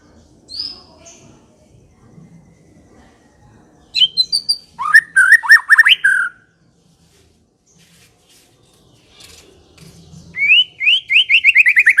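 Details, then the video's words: White-rumped shama (murai batu) in full song: a high whistle, then bursts of rapid looping notes and a fast rising run near the end, with quiet gaps between phrases. "kicau/suara Murai batu gacor | murai Batu ngekek"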